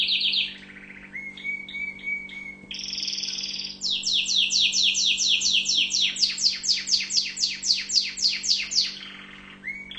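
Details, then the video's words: Tunisian orange canary, kept as a cage bird, singing a varied song: high whistled notes, then a steady lower trill, then a long run of rapid descending sweeps repeated about four per second, ending on a rising note. "Chant canari tunisien"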